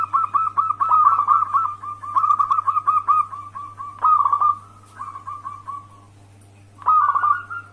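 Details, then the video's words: Local wild zebra dove in full voice, recorded as a trapping lure to draw replies: long runs of quick, slightly rising staccato coos, then a softer fading series and a final short burst, with a faint low hum. "Pancingan perkutut lokal alam gacor"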